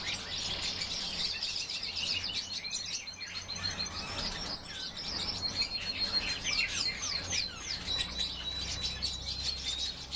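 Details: European bee-eaters calling, many short chirps overlapping densely, several birds at once, rapid and irregular, with a thin steady tone running through parts of the recording.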